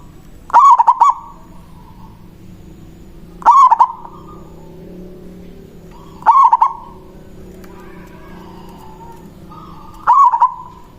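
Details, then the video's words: Local zebra dove singing manggung as a lure for rivals: four loud stuttering cooing phrases spaced about three seconds apart, each of quick broken notes, with a faint steady tone and low hum in the gaps. "Perkutut lokal Suara Besar Ampuh memanggil lawan Bunyi manggung Langsung Nyaut"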